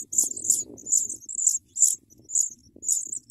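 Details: Sprague's pipit chicks being fed big worms by an adult: high, thin squeaky notes in short bursts about every half second, with soft rustling below.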